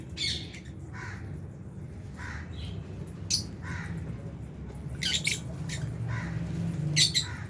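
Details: Albino and Fisher's lovebirds at food in an aviary, budgies also present; frequent overlapping scratchy chirps and squawks, some shrill and high, in an irregular busy chatter over low hum.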